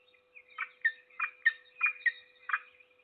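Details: Peregrine falcon at the nest feeding its only chick, Trzebież Forest District, Poland, 7 May 2022. Rough, grating calls come in a quick irregular series of about seven notes, linked by thin high whines, above a constant low hum.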